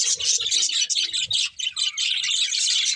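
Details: Happy eating budgies produce busy, overlapping high chirps and warbled chatter that pulse in short waves, over soft low fluttering thumps.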